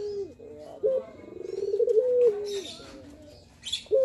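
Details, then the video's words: Male Barbary dove cooing in the manggung style, played to build up a dove's confidence: a drawn-out, rolling coo that rises and swells, then falls, with short coo notes before and after and brief high chirps from other birds. "Suara Puter Untuk Mendongkrak Mental , Suara Puter Manggung"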